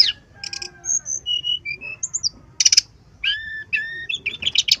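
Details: Brown-chested jungle flycatcher song for luring: scattered thin whistles at varied pitches, a sharp broadband burst, then a sequence of slurred whistled notes and buzzy chirps.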